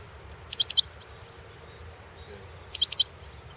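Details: European goldfinch, subspecies balcanica, entered in the 2016 internet world championship for goldfinch song: two short bursts of four quick, high tinkling notes, about two seconds apart, over quiet background.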